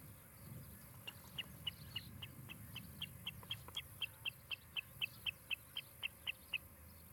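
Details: Osprey at a Charlo, Montana nest, July 2018, recorded on a nest cam; after a second of low rumble, thin high chirps start softly and build into a quick, steady series of about four notes per second.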